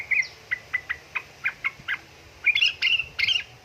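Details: Calling female sooty-headed bulbul trying to draw a male: eight evenly spaced crisp chips, then a louder, rougher chattering burst of trilled notes at the end.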